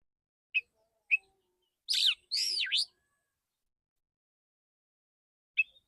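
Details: Male oriental magpie-robin singing a clear, shot-like 'tembakan' style song: three short sharp chirps spaced apart, then two loud buzzy rising-and-falling whistled phrases near mid-clip, and silence otherwise.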